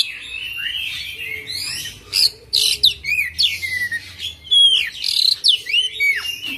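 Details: An Oriental magpie-robin gives a vigorous 'ngerol' song packed with 'isian' fillers: rapid, varied whistles and sweeping downslurred notes, loud chirpy bursts tumbling one after another over a faint low hum.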